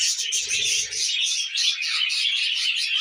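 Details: Short burst of busy twittering from a group of tame budgerigars eating millet: bright, scratchy warbles run together continuously, with one low murmuring sound early on.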